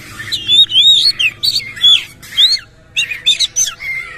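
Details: Energetic song of an Oriental magpie-robin with tail fanned, packed with rough fill-in material: loud separated phrases of bending whistles and scratchy notes roughly every half second, a brief gap mid-way.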